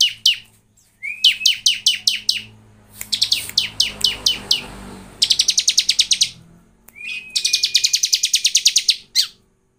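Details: Bar-winged prinia singing a lure song meant to spur other prinias into song: rapid rattling series of sharp chips, a short rising whistle, then a fast dense trill, over a low humming background.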